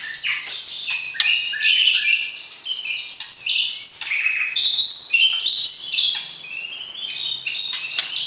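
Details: White-rumped shama, known locally as murai batu, singing during matchmaking to provoke the opposite sex before breeding; quick, tumbling sequence of bright whistles and chirps shifting pitch constantly, with a faint low hum beneath.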